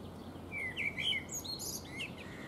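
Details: A blackbird sings from a fruit tree while preening, giving one rich fluted phrase of mellow whistles that breaks into a squeaky, high twittering flourish, with low background noise.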